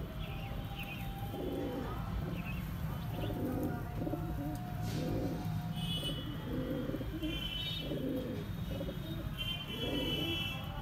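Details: Paired pigeons from a bird market repeatedly cooing in deep, muffled bursts about once a second, accompanied by higher twittering from other birds and a low background drone.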